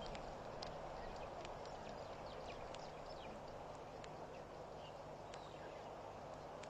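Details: Blacksmith plover calling at Pete's Pond, a Mashatu Game Reserve waterhole in Botswana, 20 October 2012 near 2:04 PM; a busy run of rapid metallic clicks and faint chirps, about two to three a second, against continuous hiss.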